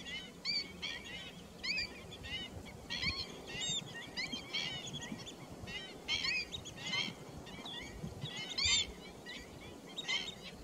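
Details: Pheasant-tailed jacana, recorded 28 July 2021, giving rapid bursts of mewing, bent notes repeated roughly every half second to a second throughout, over a constant low background hum.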